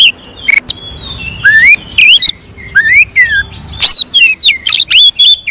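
An Oriental magpie-robin sings a rich, varied run of clear whistles, sweeping slurred notes and sharp chattering bursts, delivered rapidly with short pauses.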